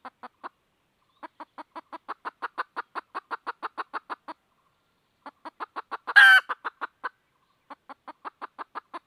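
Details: Calling for a rooster, a red junglefowl hen repeats quick clucks in long runs with short breaks, one loud rasping squawk breaking in during the second half.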